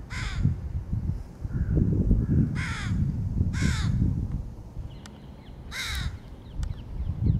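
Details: A crow feeding its 2022 young gives four harsh, hoarse caws at uneven intervals over about seven seconds, over a steady low rumble of wind or background noise.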